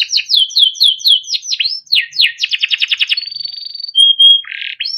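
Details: Timbrado canary song used for training: rapid high chirps repeated several times a second, a few upward-sweeping notes, a fast buzzy trill, then a steady held whistle and a short harsh rattle.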